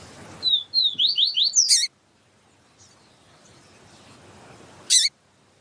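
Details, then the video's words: Siu siu song of a yellow-bellied seedeater in a tutor recording, with a female calling. One phrase of quick rising and falling whistles ends in a harsh chip, and a second chip follows after a pause. "Papa capim siu siu com Fêmea chamando para Esquentar papa capim siu siu"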